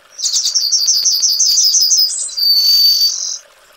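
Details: Yellowhammer (Emberiza citrinella) singing: a rapid run of about a dozen high, dry repeated notes, then a short higher note and a long drawn-out final note, the whole phrase about three seconds.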